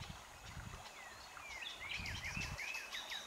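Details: A red-backed shrike (Lanius collurio) calls with a quick run of thin, slurred whistled notes, several each second, over a low rumble of background noise.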